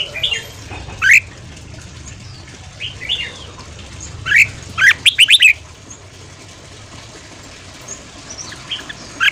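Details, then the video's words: Red-whiskered bulbul, morning 'ché' training song meant to make newly caught birds sing fast: sparse single rising whistles, then a short run of quick, bright, repeated notes midway, over a steady hiss. "Luyện giọng chào mào hót sáng ché/kích bổi theo giọng nhanh"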